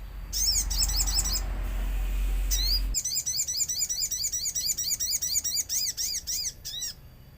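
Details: Lure song of a common iora, meant to draw replies from other ioras, amid nature sounds: a long rapid series of high, repeated chirping notes about two per second, partly over a loud low rumble at the start.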